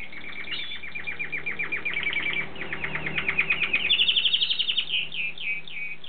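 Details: Canary delivering its love song as rolling tours: rapid repeated notes in trills that step upward in pitch and grow louder, then end in slower, separate swept chirps.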